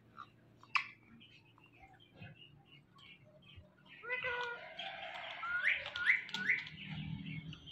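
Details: Pet parrot from a talking male and female pair calls with a series of quick, sharp, rising chirps, about three in a row, after mumbled speech-like sounds and low room hum.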